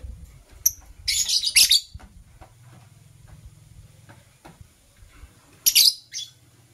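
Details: Masked lovebird, green and blue colour forms, heard in the morning: piercing, scratchy chirp bursts in two clusters several seconds apart, with a quiet low hum and faint clicks between them.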